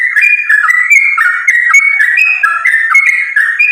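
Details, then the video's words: Sooty-headed bulbul fighting song, used to lure other bulbuls into singing: an unbroken, loud stream of overlapping whistled notes and fluty slurs, dense and energetic. "trucukan gacor tarung sambung ropel ini ampuh buat pancingan trucukan agar bunyi"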